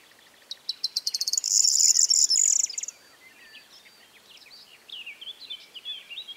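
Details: Singing corn bunting in a late-May meadow by Rozhen Monastery in Bulgaria's Pirin Mountains: quickening clicks build into a bright, jangling buzz lasting about two seconds, followed by fainter warbling and chirping from other birds.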